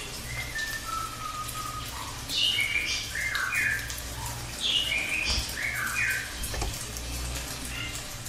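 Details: Cililin singing a long rolling song, with sweet whistled notes sliding and dropping, short warbled phrases repeated in bursts over steady low background hum.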